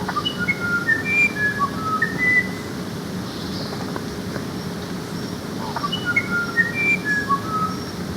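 Musician Wren sings two phrases of pure, flute-like whistles that leap between high and lower notes, each lasting about two seconds, over a steady low hum.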